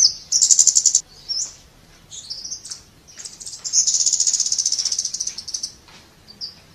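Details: Scarlet-backed flowerpecker giving long, rapid ticking trills, very high and dry, broken by short sliding single notes; two extended rattling bursts dominate.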